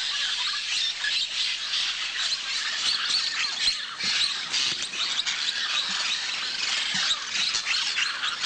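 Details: Flock of Blue-headed Parrots eating soil at a riverbank clay lick in Manu, Peru, giving a dense, continuous chorus of harsh, overlapping squawks and chatter, high-pitched and unbroken throughout.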